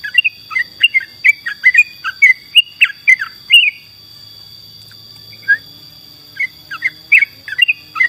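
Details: Lively yellow-vented bulbul in full song for songbird tutoring: a fast run of chirpy, slurred notes for about four seconds, a short lull, then more bubbling phrases, over a constant thin high-pitched tone.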